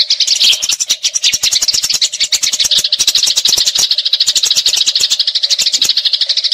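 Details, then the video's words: Eurasian tree sparrow in a fighting mood, rolling out long, hurried chatter of scratchy chirps and sharp ticks with brief dips in loudness, recorded to tutor songbirds such as magpie-robins. "Gereja Tarung Ngeroll Abis"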